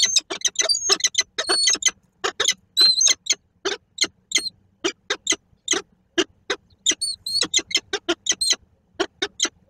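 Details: Pair of peregrine falcons meeting inside a nest box in Koszalin on 10 October 2024, giving a rapid, nearly continuous series of harsh, grating chips interspersed with thin whining notes, loud and close.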